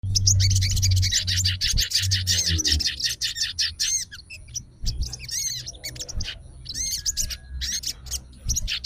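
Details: Sooty-headed bulbul, a fighter bird said to call out rivals and respond at once, sings rapid chattering bursts of high, twisting, slurred notes, about three a second. Low thumps and rumbles sound underneath.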